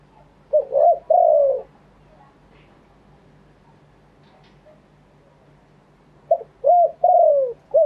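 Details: Spotted dove cooing live in wild style: two coo phrases separated by about four seconds of quiet. Each phrase has short hooting notes leading into a longer, smooth coo.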